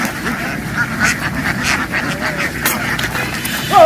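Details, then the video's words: A flock of farm ducks making a loud noise in a field after dashing into the water and back onto the bank; a constant rasping chorus of nasal quacks with sharper single calls standing out near the end. "The ducks ran happily into the water and quickly jumped ashore, making a loud noise in the field."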